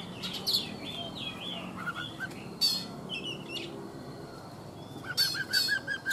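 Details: Wild-caught adult Oriental magpie-robin, kept caged for three seasons, singing in the morning: varied clear whistles, sweeping slurred notes and sharp chirps in bursts, ending in a quick run of repeated short notes, over a low steady background hum.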